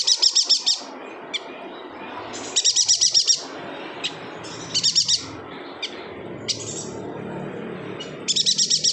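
A yuhina sings in quick bursts of five or six high, sharp chips, each burst about half a second long. Scattered single high notes fall between the bursts.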